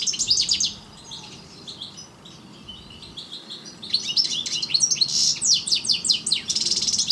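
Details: European goldfinch, subspecies parva, singing in bursts of high, tinkling twitters, a quiet gap with faint chatter, then a long, loud run of rapid sharp chirps and buzzy trills.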